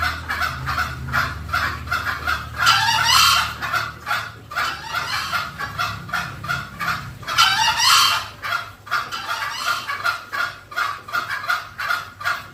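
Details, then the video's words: Green junglefowl lure sound, played so the birds come near. Fast, repeated clucks run steadily, with two loud, rough, crow-like bursts spaced about five seconds apart. "SUARA PIKAT MASTERAN AYAM HUTAN HIJAU"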